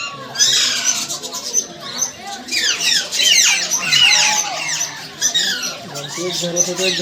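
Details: A lively gathering of parrots with busy overlapping chirps and harsh squawks, many falling notes in quick runs, and a few lower, longer tonal calls.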